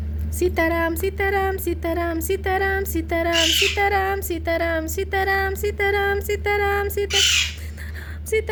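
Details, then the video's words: Young talking parrot chick calling steadily, short level nasal notes repeated about one and a half times a second, with a few scratchy screeches mixed in over a constant low background hum. "Baby parrot sound बोलने वाला तोते का बच्चा"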